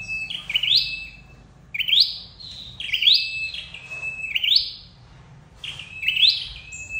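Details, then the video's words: Flowerpecker lure calls for trapping: high, thin phrases that start on a flat tone and flick sharply upward, given five times at irregular intervals over a faint low hum. "Tiếng chim sâu đầu đỏ đi bẫy"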